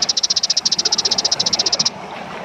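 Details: Kaso kaso bird used as a song-training and lure sound: a steady, high, dry rattle of about thirty quick even pulses lasting two seconds, then stopping abruptly.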